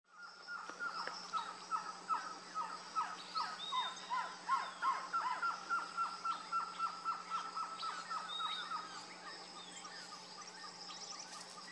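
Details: Green-tailed jacamar (Galbula galbula) calling in Amapá, Brazil: a rapid series of sharp, slightly squeaky notes, three or four per second, swelling then fading, over a steady low hum and faint higher bird calls.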